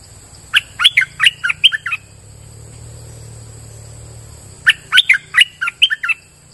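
Streak-eared Bulbul giving two quick bursts of five or six sharp, chirpy notes, each burst about a second and a half long, over a faint low rumble.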